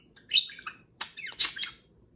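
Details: Pet budgerigar chattering while its mate grooms it one morning; three quick bursts of raspy, warbled squeaks, the first and last loudest, then silence.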